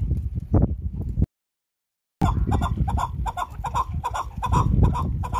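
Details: Chukar calls from a partridge, a few low, rough notes, then after a gap a fast run of repeated throaty chuck sounds with bright harmonics, over constant low-frequency noise.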